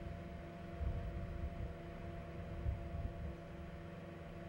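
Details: Steady low engine-like rumble with a faint tonal hum and soft background noise; no animal voice is heard.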